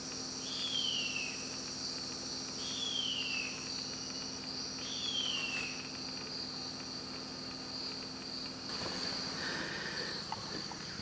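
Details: A female harpy eagle calling for the male around and inside her nest in Carajás National Forest in the Amazon, Brazil: three thin, high, falling whistled wails about two seconds apart over a shrill insect drone and a faint low hum.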